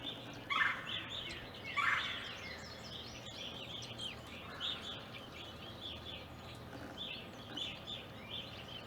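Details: Evening grosbeaks visiting an Ohio backyard, present from winter 2020 into April 2021. Two loud, downslurred chirps stand out early, among steady, overlapping high chirping from several birds and a low background hum.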